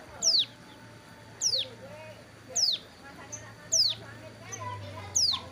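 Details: Hill prinia kept sunning at the roadside during wing moult, still calling: piercing downward-sweeping high notes roughly every 1.2 seconds, with faint voices and hum beneath.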